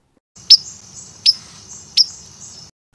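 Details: White-throated Sparrow giving its loud, explosive call, three sharp high chips about three-quarters of a second apart, over a faint high hiss, heard after most other birds have gone to roost.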